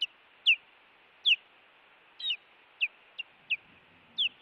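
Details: Osprey on a Montana nest camera, 16 June 2017, during an intruder incident at the nest: eight sharp, high, downward-slurred chirps, unevenly spaced about every half second, with no other clear sounds.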